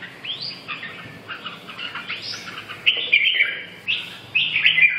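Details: Red-whiskered bulbul singing, a series of bright warbled phrases that rise and fall, with short slurred whistles and louder bursts toward the end.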